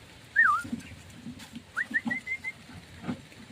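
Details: Javan myna after bathing and sunning, kept to become tamer and more vocal: a wavy whistled note around mid pitch, then a short rising series of clear whistles a second later, over low background rumble and faint knocks.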